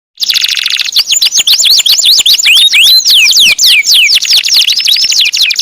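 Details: Canary singing continuously, described as a stuck canary in full auto song; opens with a sustained buzzy trill, then rapid varied whistled notes and sweeping downward slurs in fast succession, high-pitched and loud throughout.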